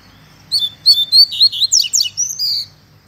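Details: Fibra-style song of a caged double-collared seedeater near moult: one two-second phrase of quick, high, clipped and slurred notes rising into a rapid run of steep downward sweeps, ending on a held whistle.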